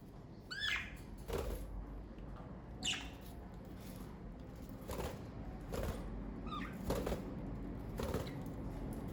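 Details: Pet budgerigars of a parakeet family give short harmonic chirps that sweep upward in three brief bursts a few seconds apart. Soft clicks, taps and rustling run through the clip over a steady low hum.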